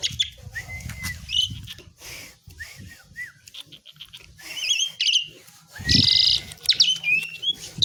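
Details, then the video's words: Asian pied myna, called jalak suren, giving a quieter run of upslurred whistles and short buzzy notes, then a louder harsh burst near the end, over rumbling low background noise. "THE BEAUTIFUL SOUND OF ASIAN PIED MYNA, JALAK SUREN GACOR"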